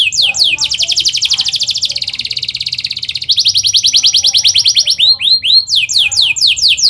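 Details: Canary rolling song for young-canary training: quick sweeping chirps, a long dense buzzy trill, a brighter trill, then repeated upswept whistled notes.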